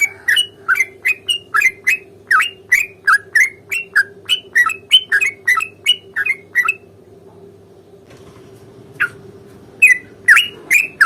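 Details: Sooty-headed bulbul in fighting song, long rapid-fire delivery meant to provoke a reply: a run of quick sharp chirps, several rising or dipping, for almost seven seconds, then a pause before a few more notes, with a constant low hum behind.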